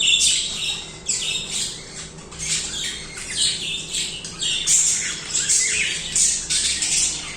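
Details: Several seconds of lively budgerigar warbling, a steady stream of rasping, chirpy, squeaky notes that swell and dip without real pauses, with occasional thin whistle-like peaks.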